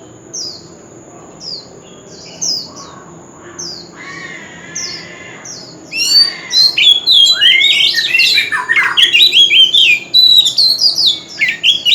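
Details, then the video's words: A wild old oriental magpie-robin singing loudly at a street corner. Sparse high downslurred notes and a brief buzzy trill give way to a long, loud, varied cascade of whistles, slurs and twittering phrases. "Tiếng chim Chòe Than già rừng - Chòe than rưng hót vang cọng góc phố"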